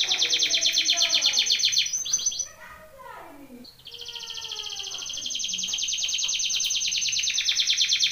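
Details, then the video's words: Belgian canary singing a training song: a loud, fast trill, a run of lower descending slurred notes, then another long, high, rolling trill that gradually swells. "BEST canary singing / CANTO CANARIO CANTANDO FOR TRAINING / CANARY TRAINING SONG"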